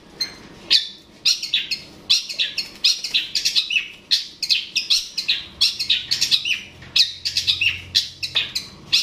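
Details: Long-tailed shrike (cendet/pentet) sound for provoking a rival: a dense, fast stream of varied chirps and harsh notes, almost continuous for nine seconds.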